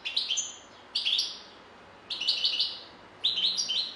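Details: Short twittering phrases from a European goldfinch, four quick bursts of bright, tinkling notes roughly once a second, separated by brief silences.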